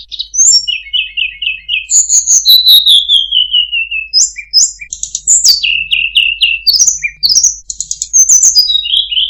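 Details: Tledekan gunung singing a melodious song of clear high whistles: quick repeated notes, long descending slurred glides and short trilled bursts, delivered continuously with no other sounds.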